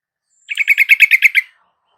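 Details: Yellow-vented bulbul in captivity, a lure to get a reluctant bird singing: a clean, loud phrase of eight quick, evenly spaced, bubbling notes lasting about one second, in silence.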